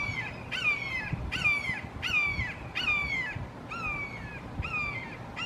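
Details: Three Red-shouldered Hawks in a Florida backyard calling long, loud and emphatically: clear, downslurred kee-ah screams, about seven in quick succession, with faint low background rumble.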